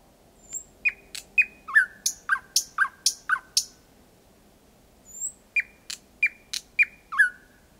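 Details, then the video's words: Night song of a thrush nightingale recorded at 01:23 on 8 May 2020 in Kiili parish, Estonia, from 4–5 m; two phrases of high thin whistles and loud clipped, descending chock notes separated by a short pause. "Ööbik väga lähedal laulmas"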